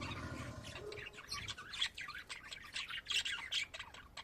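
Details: Several pet budgerigars squawking and chirping in rapid scratchy notes, bursts bunching around the middle and later part, after a brief low rumble at the start.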